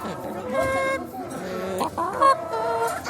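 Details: Chickens loaded into a car before slaughter, giving harsh overlapping squawks and clucks with a strained, nasal tone; several birds call at once amid background noise.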